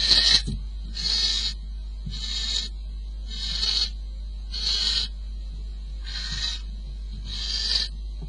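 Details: Barn owls at the nest at 04:45 before dawn on 22 May, the male bringing prey to feed the female; harsh breathy hissing bursts repeated about every 1.2 seconds, seven in a row, over a steady low hum.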